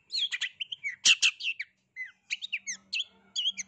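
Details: Long-tailed shrike, agitated and answering a rival-seeking shrike call: a fast, scratchy jumble of high chattering notes and short whistled slurs in quick bursts, over a faint low hum.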